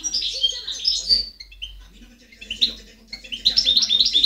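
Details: A singing European goldfinch, recorded in 2010, gives bursts of bright twittering notes and tinkling trills high in pitch, with a quiet gap mid-phrase before a second rapid, jingling run; faint low murmurs underneath.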